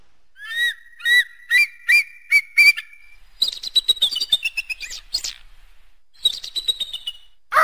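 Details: Eagle calling: a run of six short, rising whistled notes spaced about half a second apart, then quicker, higher chattering notes, a pause, and another brief burst of high notes near the end.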